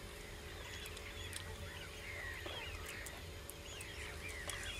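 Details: Common cranes in a group, many overlapping calls rising and falling in quick succession, some sliding upward, forming a continuous chorus over a steady low rumble and background hum.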